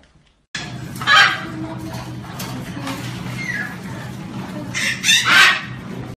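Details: Baby macaw parrots kept indoors give harsh, raspy squawks. One burst comes at about one second and a doubled burst comes near five seconds, with a low hum and room noise in between.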